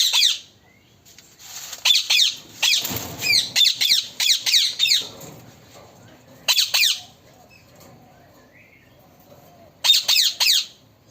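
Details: Talking parrot producing bursts of harsh rapid squawks in fast series, separated by quiet gaps, with a brief rustling noise in between.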